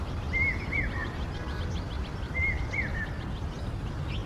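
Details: Common hawk-cuckoo (papiha) calling continuously on a cloudy monsoon morning in Ahmedabad: two faint three-note phrases of shrill rising whistles about two seconds apart, over steady low rumble.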